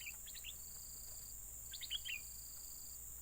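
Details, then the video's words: Yellow-vented bulbul calls played to lure birds: two brief clusters of rapid liquid chirps about 1.5 seconds apart, with a constant high hiss and intermittent buzzing behind. "mikat burung merbah kuning"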